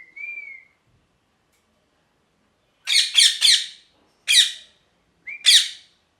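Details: Parrot gives a smooth arched whistle, then a cluster of loud harsh squawks in threes and singles, the last preceded by a short whistle.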